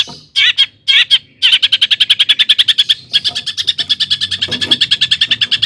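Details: Long-tailed shrike singing as a lure to make other shrikes excited: a few short harsh bursts, then a long rapid rattling trill of buzzy notes, about eight per second, slightly shifting in tone.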